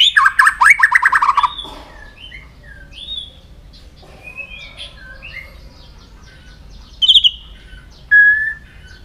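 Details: White-rumped shama sound played to stimulate and train other shamas to sing: a loud burst of rapid harsh, stacked notes, then soft scattered whistles, and two sharp high phrases near the end over quiet background hiss.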